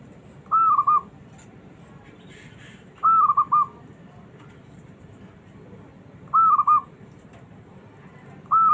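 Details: A small zebra dove sings to goad lazy doves into calling back. Four regular phrases, each a brief rising whistle dissolving into a quick bubbling trill, come about every three seconds over quiet hiss.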